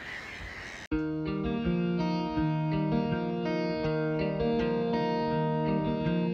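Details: A brief burst of hiss gives way to plucked guitar music with sustained, evenly pitched notes and no animal voice.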